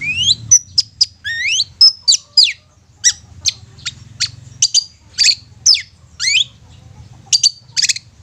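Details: Long-tailed shrike lure song to make quiet shrikes sing: rising whistled slurs give way to a varied stream of sharp chips, squeaks and short buzzy notes, steady and fairly loud.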